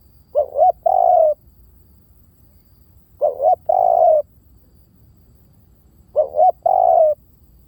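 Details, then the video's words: Spotted dove lure call repeated three times at roughly three-second intervals; each phrase has a pair of short swelling notes and one long smooth coo, clean and close against quiet low rumble. "เสียงนกเขาใหญ่!! เสียงต่อ!"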